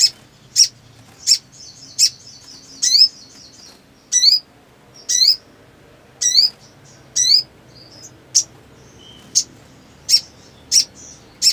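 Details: Black sunbird, described as lively, in breeding condition and singing without pause: a steady series of piercing high chips mixed with buzzy slurred notes, roughly one every 0.7 seconds.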